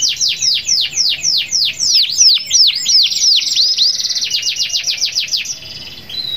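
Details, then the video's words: Canary in vigorous long-rolling song aimed at rivals: repeated loud downward-sweeping notes merging into a dense buzzy trill that fades near the end. "PANCINGAN KENARI GACOR NGEROL PANJANG MEMANGGIL LAWAN"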